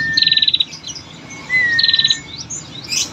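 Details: Female bar-winged prinia calling to lure males into singing. Two quick high trills of about eight beats each, each followed by a thin whistled note that rises sharply then slides down. A faint rustle comes at the end.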